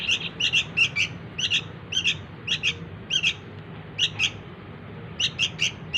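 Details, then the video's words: Sooty-headed bulbul nestling begging to lure its parents, giving harsh high chirps in clipped pairs and triplets about every half second, with a short gap before a final burst. "suara anak burung kutilang || sangat gacor buat pikat indukan nya"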